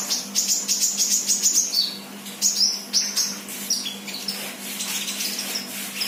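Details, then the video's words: Untrained sunbird, a freshly kept bird singing actively, gives rapid runs of thin, very high chirps and short sliding whistles in quick bursts, with a steady low hum behind. "Burung kolibri bahan Gacor"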